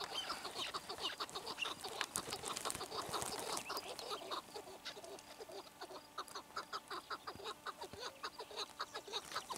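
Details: Chukar partridge calling. Short, clucking chuck notes repeat in a steady series, nearly two per second, growing more even after a noisy, crowded opening with clicks and scratching.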